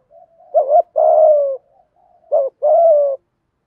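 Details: Spotted dove 'thúc gù' cooing in 'giọng thổ' style, played to stimulate birds in training: two paired phrases, each a brief wobbling note followed by a sustained, slightly falling low coo, in a clean recording.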